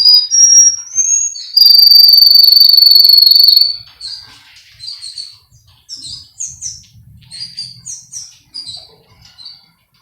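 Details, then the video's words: Training song of a male Russian canary from a Florida breeder in Miami: a loud, long, steady whistled roll lasting about two seconds, followed by softer, scattered high chirps and quick notes. "Canary Singing Birds sounds | Melodies Russian Canary Bird Sounds"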